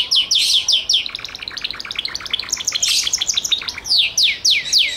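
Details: Gloster canary delivering a varied song: descending whistled notes, a middle stretch of quick chattering trills, and a return to clear falling sweeps.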